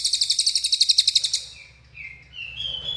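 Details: Lesser racket-tailed drongo (cililin) in lively song: a fast series of bright, high chirps for over a second, followed by softer slurred whistles rising slightly in pitch.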